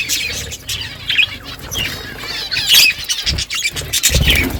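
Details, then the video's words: Budgie flock chatting in the morning, high warbling chirps and squawks, with a few low thuds near the end. "Budgies flocks in beautiful morning 🌄 birds talking to each other"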